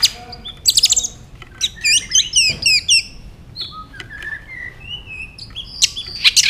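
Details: White-rumped shama in a competitive singing bout with quick tail flicks: a rich medley of high chips, looping whistles and long clear rising tones.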